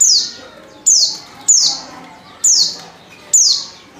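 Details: Female Oriental white-eye lure call meant to make males sing: five sharp, high chirps each sliding quickly downward, spaced about one second apart, over a quiet background.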